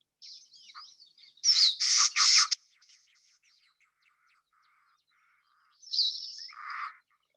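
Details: Yucatan Wren, an endemic of Mexico's Yucatan Peninsula, recorded on a winter trip, gives a typical fussy wren call of harsh, scratchy chatter: three loud rasping bursts in quick succession, thin high squeaks, then another grating burst with a lower churr.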